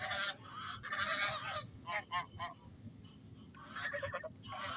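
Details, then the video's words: Geese giving loud harsh honks in bursts, some drawn out, others short and clipped, repeated about once a second over a low rumble. "Geese are socialite honking strong bonded birds"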